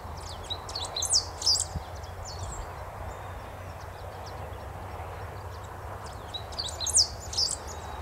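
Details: Great Pampa-Finch, long-tailed with a stout orange-yellow bill, giving very high, thin, sharp notes in two brief bursts several seconds apart over a steady low rumble, in southern-hemisphere spring at the start of the breeding season.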